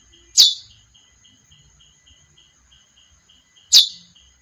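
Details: Female chestnut-bellied seed finch with two sharp, high chirps spaced about three seconds apart. Between them a quiet, steady high tone and faint rhythmic ticking are heard.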